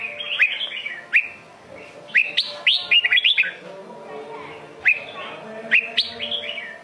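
A red-whiskered bulbul sings bright, bubbling whistled phrases that rise and fall, delivered in short bursts every second or so, with faint background hum.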